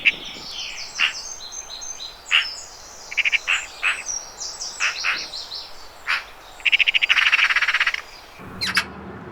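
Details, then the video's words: Eurasian magpie with a harsh, fast rattling chatter near the end, set among many sharp chirps and whistled notes from other birds calling throughout. "Chant de LA PIE BAVARDE"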